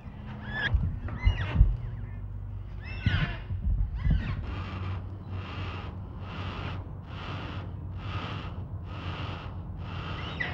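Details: Black cockatoos recorded at Nerrina, Victoria, in 1999. Several rough, rising screeches come in the first four seconds. A steady train of hoarse, rasping pulses follows, roughly one per second, against a low hum.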